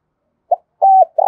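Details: Spotted dove used as a lure bird, giving urging and calling coos to draw wild doves in quickly: a brief low note, then a flat mellow coo and a slightly rougher one, in clean silence.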